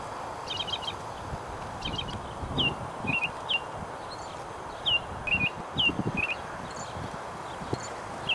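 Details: American robin at Maizerets on 28 April 2010, giving short, sharp high notes, some quick clustered chips and clear down-slurred 'peek' calls at irregular intervals, over steady wind-like rustling.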